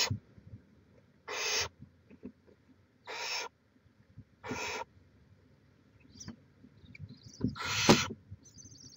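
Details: Barn owl on a nest camera in Chula Vista, California, May 2017: three raspy, noisy hisses spaced about one and a half seconds apart, then a louder hiss mixed with brief high squeaks and clicks.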